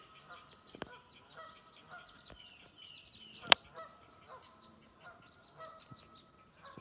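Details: Canada geese at a beaver pond swamp with a heron rookery, New Hampshire, 18 June 2020, honking to keep predators from their goslings: repeated nasal honks roughly every half second to second over a steady hum, one sharp click.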